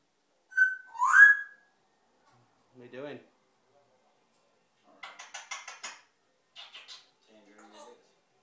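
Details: Pet African grey parrot, three years old, indoors with its owner: a bright whistle sliding into a loud harsh squawk, a short low mumble, then rapid chattering syllables and quieter murmured bits.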